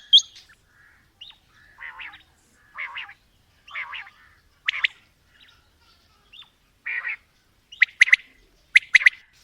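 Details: Mixed calling of male and female quails: scattered buzzy, grating notes spaced about a second apart, ending in sharper paired high chirps, in an otherwise quiet setting.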